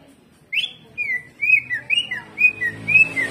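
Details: Greater green leafbird in jamtrok style. A series of clear whistled slurs, each sliding up then down, comes at roughly half-second intervals.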